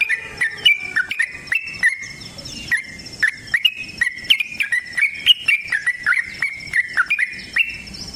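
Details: Extended fighting song of a Yellow-vented bulbul: a continuous rapid sequence of gurgling, slurred whistles in short repeated bursts, backed by a constant high cricket-like drone.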